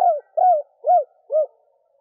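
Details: Female spotted dove calling to stimulate males, four low, soft coos, each slurred and slightly falling, spaced about half a second apart.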